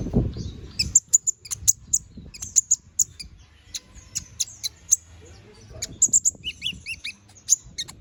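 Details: Canary song for tutoring magpie robins, lively 'ngobra' chatter: a dull thump at the start, then bursts of shrill high chips and short whistles, irregular but nearly continuous, with a few lower slurred notes near the end.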